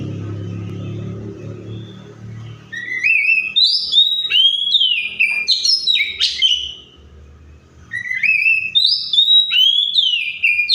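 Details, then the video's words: Mimicking other birds' voices, an Oriental magpie-robin (Copsychus saularis) breaks from a low rumble of background noise into a rapid run of short, bright, varied whistled notes, about two to three per second. It pauses briefly, then resumes the quick, chattering, whistled phrases. "COPSYCHUS SAULARIS SOUNDS LIKE THE WILD MAKES OTHER BIRDS SOUND!"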